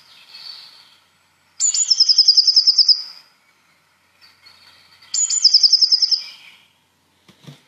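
Eurasian Blue Tit giving two high, thin phrases about three seconds apart, each a sharp opening note falling into a rapid, ringing trill, with softer notes between.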